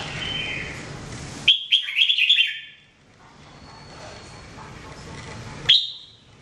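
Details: Jambul, the red-whiskered bulbul, singing as a training bird: a quick burst of rich warbling notes after a noisy start, then a quiet stretch and one sharp upslurred note near the end, with faint hum throughout.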